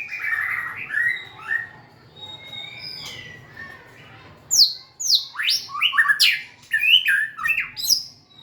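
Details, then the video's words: White-rumped shama song during dancing and tail wagging: soft warbled whistles first, then a lively burst of steep, sharp downward-sweeping high notes and chips, with a faint low hum. "Big Sound Birds Singing Chirping, Dancing And Beautiful Tails Wagging - Birds White-rumped shama"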